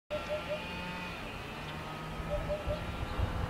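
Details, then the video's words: Eurasian hoopoe in Sicily giving two soft, low, hollow triple hoots, 'oop-oop-oop', about two seconds apart, over a steady low rumble of distant traffic. "Wiedehopf Hoopoe"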